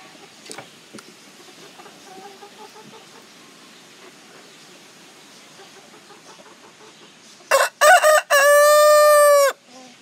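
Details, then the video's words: A Lavender Orpington rooster crows near the end: two or three choppy opening bursts, then a long, loud, drawn-out harmonic note, after a quiet farmyard background with faint clucks. "Lavender Orpington Rooster Crowing"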